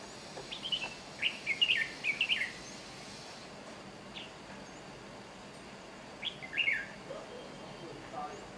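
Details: Red-whiskered bulbul recorded in Chiang Mai, Thailand, giving a run of quick, lilting chirps in the first seconds, then quiet, then a shorter two-part phrase, with a soft background insect hum.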